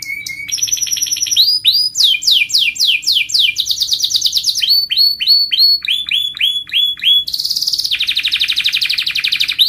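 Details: A canary's melodious rolling song: a low whistle, then alternating fast trills and runs of repeated downward-swooping notes, ending in a bright high continuous roll.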